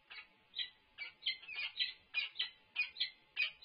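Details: Peregrine falcons calling at their UC Berkeley nest while food arrives, 3-6-24. The calls are drawn-out, hoarse, wailing notes, some doubled, spaced about every third of a second.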